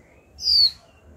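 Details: Female Japanese white-eye, a young kept cagebird, giving its call, used to stimulate males into singing: one short, bright whistled note sliding downward, clean and alone against quiet background.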